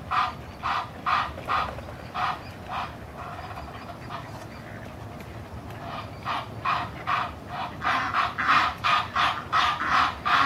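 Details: A pair of Egyptian geese in a backyard give loud, harsh, husky huffs and honks in quick runs of two or three per second, pausing midway, over a low rumble. One goose huffs to drive off mottled ducks while its partner joins in honking.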